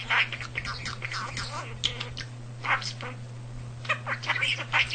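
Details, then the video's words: Talking male pet budgerigar, kept indoors and self-taught from household speech, delivers a continuous stream of fast, raspy, high-pitched mimicked chatter with short whistled notes above a constant low hum. "The Talking Budgie"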